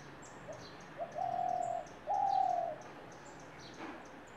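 A spotted dove gives soft, low coos: two quick short notes, then two long, steady hooting coos. Faint high chirps sound in the background.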